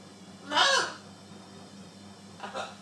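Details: Macaw parrot that talks, uttering one loud, coarse, voice-like squawk followed later by a faint, shorter echoing sound over a low steady hum.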